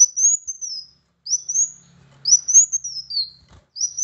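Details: Kolibri Wulung sunbird song for prompting a reluctant bird to sing: four very high, thin whistled phrases, each rising then sliding down, spaced roughly a second apart in near silence.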